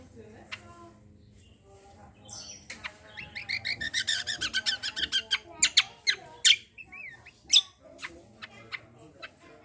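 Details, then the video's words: Cucak kombo in full, rapid song with shooting bursts, used as a lure to get other birds singing; sharp chirps build into a dense run of fast, high repeated notes, then loud separate strident calls. "KECIAL KOMBO CUCAK KOMBO GACOR FULL TEMBAKAN BESETAN || UNTUK PANCINGAN BUNYI BURUNG BAHAN"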